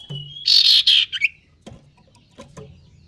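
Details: Male common iora learning to sing: a thin level whistle breaks into a harsh, buzzy, strained burst, followed by a short falling note, then faint clicks and chips.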